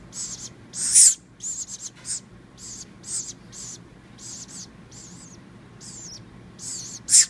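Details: Hand-raised baby woodpecker rescued after falling from a palm-tree nest calls at feeding time: short high raspy hissing notes in rapid irregular bursts, with a few louder squeaky notes and faint background hum.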